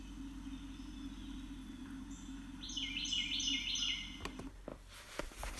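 A Carolina Wren gives a quick run of loud, rolling three-part phrases, like 'cheeseburger', repeated about five times over a steady low hum, then some thumps.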